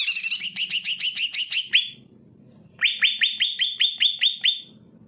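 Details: Greater green leafbird singing steadily, played to encourage leafbirds that are slow to sing: two phrases of rapid rising whistled notes, each about eight notes long, separated by a short pause, with faint hum underneath.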